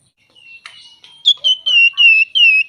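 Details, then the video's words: Flamboyan songbird singing actively in a rich, full song described as nyuling and ngebren: a few soft, scratchy notes, then a run of loud, clear whistles. Each whistle is a level or slightly falling note, and they repeat about every third of a second. "Burung Flamboyan Gacor Isian Mewah Nyuling Ngebren"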